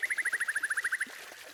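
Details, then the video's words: Song of a white-rumped shama played to stir other birds into singing. A fast, even trill of about fourteen bright notes runs for one second, then stops, leaving quiet background. "Masteran Burung Murai Batu Terbaik: Bikin Semua Burung Ikut Bunyi!"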